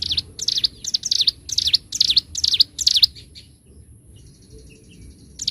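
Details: Bar-winged prinia, locally ciblek gunung, in a bird-training recording: about three seconds of fast, high, repeated flicking notes, then a pause with faint distant high twitters.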